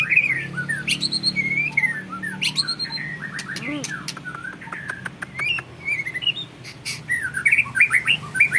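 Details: Caged white-rumped shama, champion bloodline, mixes sweet slurred whistles with sharp clicks and chattering, varied phrases spread across a busy, noisy background.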